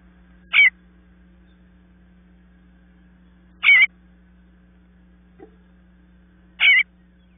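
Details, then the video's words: Baby bluebirds waiting for their parents to call them out; three short, harsh, buzzy calls spaced about three seconds apart, with a faint tap between them and a low background hum. "Bluebird babies waiting for their parents to call them out"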